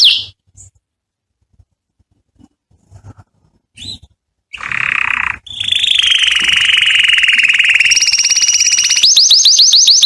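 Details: Canary singing to attract a mate: several seconds of faint scattered clicks and soft notes, then a loud rolling buzzy trill, a long steady trill and fast repeated upward sweeps at the close.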